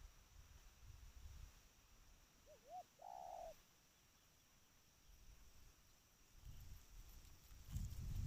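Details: Trained spotted dove calling: two quick wavering coo notes followed by one longer, steady, slightly buzzy coo, all mid-pitched and lasting about a second, over low rumbling background noise.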